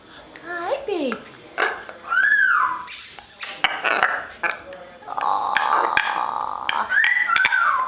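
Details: Two pet hyacinth macaws indoors, happily chatting with their owner: short throaty gurgling clucks and rough bursts, mixed with a woman's high, cooing voice talking to them throughout.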